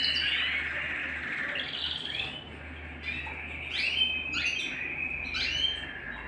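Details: Canary at home giving a warbling song of rising sweeps and sliding whistled notes, with a low steady hum underneath.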